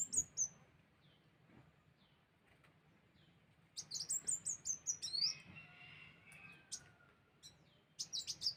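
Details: Sunbird calls used as a lure: an isolated chirp, a quiet gap, then a lively run of high descending chirps and a brief burst at the end.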